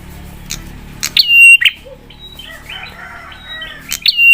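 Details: Prinia sounding its provoking 'spicy' song to make other prinias reply angrily: two loud click-whistle-click phrases a few seconds apart, with faint chattering notes and low background hum between them.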